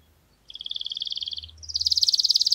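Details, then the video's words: Canary tutor song for chicks: a soft, even buzzy trill for about a second, then a louder, faster rolling trill at higher pitch, with a low background hum. "غناء كناري خالي من الاخطاء لتعليم الفراخ Error-free canary singing to teach chicks"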